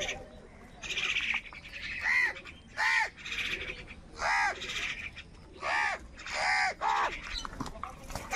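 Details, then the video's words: Crow fighting with wild birds for food on a rainy morning, giving loud, harsh, arched caws spaced about a second apart, with chattering bird noise between calls. "Crow Fight with Wild Birds for Food in a Rainy Morning | কাকের ডাক Crow Sound Loudly"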